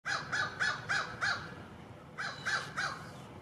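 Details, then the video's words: A crow gives harsh, rasping caws in quick runs, five in a row then three more after a short pause, over faint background hiss. "Crow Calls"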